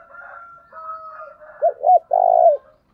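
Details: Decoy spotted dove calling to lure wild doves for trapping, thổ đồng style: faint steady whistled tones first, then two short hooked coos and a long, strong, slightly falling coo.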